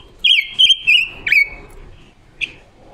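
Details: Female decoy silver-eared mesia singing a wild-type song, recorded October 2021, used to train other birds' voices and lure wild birds into traps; clear sustained whistled notes with short breaks, then a faint closing note.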